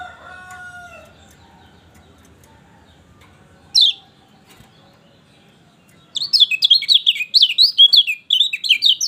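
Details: Lemon-bellied white-eye song meant to stimulate a quiet bird: a low, drawn-out call from another animal and a lone sharp note come first, then a rapid, high-pitched twitter of zigzag notes fills the last three seconds.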